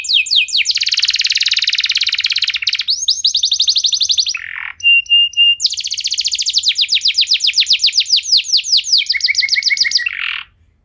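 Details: Singing canary used as a prompt to start other canaries singing: a long, dense run of very fast high trills and rolled notes, brief buzzy and whistled inserts, then a sustained rapid chatter ending in a lower buzz.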